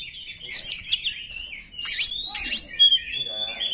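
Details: Song of a wild Oriental magpie-robin in the morning, used to coax caged birds into singing: short, bright whistled phrases mixed with harsh, scratchy sweeps, then a clear sustained high whistle near the end.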